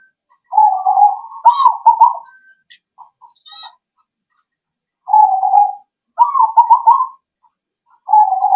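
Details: Zebra dove lure call meant to draw answers from other birds: soft trilled cooing phrases with a rapid stuttering rhythm, repeated in bouts about five seconds apart, with a few faint higher chirps between them.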